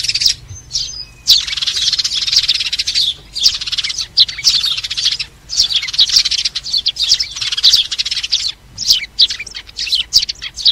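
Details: Sparrows gathering the flock with their calls, used as a trapping lure; long stretches of thick, high chirping chatter broken by brief gaps.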